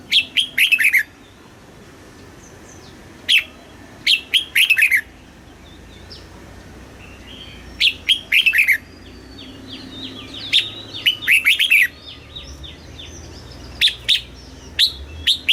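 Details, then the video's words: A Thai red-whiskered bulbul delivers southern master-style song meant to stimulate caged birds and tutor young ones. Short bursts of clear, descending whistled notes repeat irregularly, and fainter birds call in the background. "เสียงนกกรงหัวจุก สำหรับต่อ หรือ เปิดให้นกคึก เสียงเพราะๆ"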